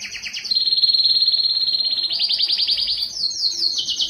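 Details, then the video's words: Yellow canary singing: rapid trilled tours around the upper register, a steady buzzy roll holding one pitch, then a rising rattle and a higher quick trill closing the phrase. "Observing the Enchanting Song of the Canary Yellow" canary yellow singing part 5"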